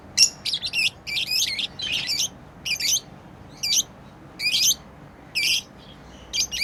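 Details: Lovebirds kept as pets chirp while playing, giving harsh, buzzy high squeaks in clustered bursts roughly once a second, separated by brief silences.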